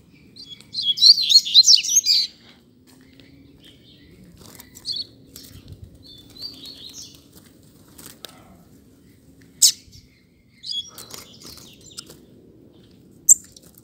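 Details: Double-collared seedeater in a singing contest: a two-second burst of rapid, high buzzy notes, then scattered faint chips and occasional sharp clicks over a long quiet stretch.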